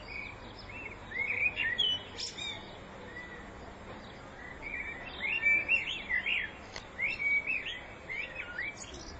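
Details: Blackbird song recorded in spring 2014: rich, varied warbled phrases, each a quick run of rising and falling whistles with squeaky high flourishes, delivered in bursts separated by short pauses.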